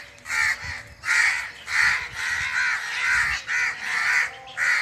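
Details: A bird in a forest gives harsh, hoarse cawing calls, repeated in a steady run about once every second, with a faint background hum.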